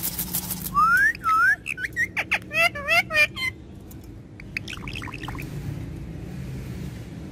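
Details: A pet talking parrot, highly excited and speaking Hindi, gives two bright rising whistles, then a fast burst of harmonic chattering syllables like clipped words, fading into softer distant chirps against steady background hiss.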